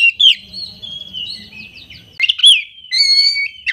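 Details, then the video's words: Oriental magpie-robin singing: sweet whistled notes and slurred phrases around a steady high pitch, pausing briefly, then bright rising and falling whistles with a faint low hum beneath. "Kompilasi Suara Burung Kacer Berkicau Gacor"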